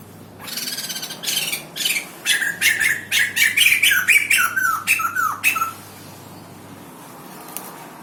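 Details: White-crested laughingthrush offered for sale in Indonesia; a loud burst of harsh, squawking chatter, notes repeated about four per second and falling slightly in pitch before stopping abruptly, with the room quiet afterwards.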